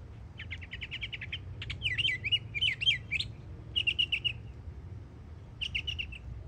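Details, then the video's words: Yearling Northern Mockingbird in Florida singing a rapid trill of chips, then zigzag warbled phrases repeated twice, followed by brief rattling bursts separated by pauses, with faint low rumble behind. "Yearling Florida Mockingbird Goes Hard 🎶💯 Beautiful Songs"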